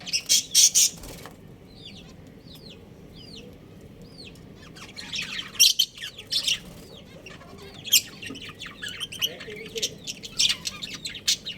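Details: Budgerigar breeding pair: a loud burst of sharp clicks opens, then four evenly spaced arched chirps about half a second apart, followed by busy high chattering and twittering with repeated clicky bursts.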